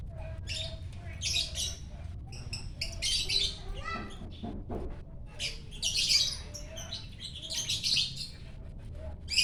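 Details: Lovebird in full morning song at Parahyangan Village, Bandung, greeting the rising sun; dense runs of shrill, scratchy chattering bursts come in rapid succession, with a few lower nasal notes and a low steady rumble behind.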